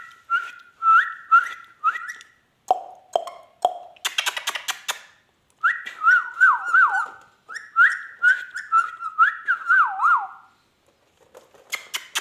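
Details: Talking rose-ringed parakeet mimicking sounds: repeated rising and falling whistles in looping phrases, interrupted by low hooted notes and a burst of scratchy noise, with brief pauses between phrases.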